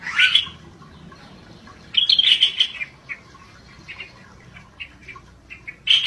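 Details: Pycnonotus squamatus singing 'gacor': a loud opening whistle, then a long chattering phrase of rapid high notes, with softer short chirps trailing off and a final loud note.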